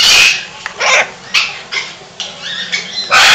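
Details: Military macaw named Sarge at a parrot shelter and rescue in Creston, Illinois, gives loud, harsh, raspy squawks: a burst at the start, several shorter rough calls, and a final loud screech.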